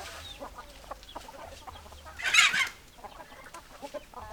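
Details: Chickens clucking in a flock: soft, short mid-pitched clucks repeat throughout, broken near the middle by one loud, harsh, bright squawk lasting about half a second, then the low clucking resumes.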